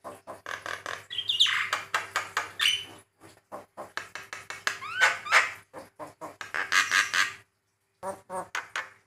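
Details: Male white-eyed Javan myna giving varied song to provoke other mynas into calling: loud harsh chattering notes in quick pulses, mixed with short rising and falling whistles, brief pauses between phrases.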